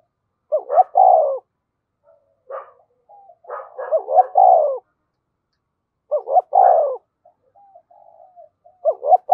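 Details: Spotted dove used as a decoy bird, calling: three-part coo phrases of two short rising notes and a longer falling burred coo, repeated about every three seconds, with soft low murmuring notes between phrases.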